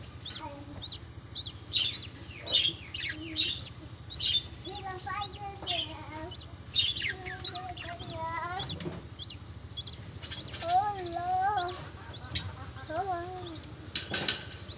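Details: Budgerigar pair with their first chicks in a small loft: adults chatter with quick high chirps while chicks give harsh, wavering begging calls as the parents feed them.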